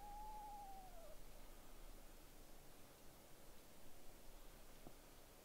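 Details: One soft, hollow whistle from an Eastern screech owl, falling steadily in pitch over about a second, followed by quiet background hiss.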